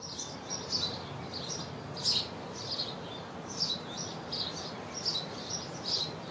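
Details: Several tree swallow pairs nest in bird houses as their young fledge. Sharp, high twittering chirps repeat about every half second, with a few louder notes standing out, and faint background noise.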